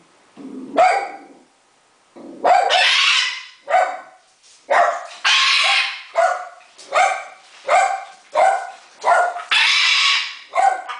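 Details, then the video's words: Pet macaw crying "Maah" as it throws kisses with its foot; a long run of harsh, raspy squawks, about a dozen in eleven seconds, some hoarse and broad, with short gaps between. "Macaw throwing kisses with foot! Maah!"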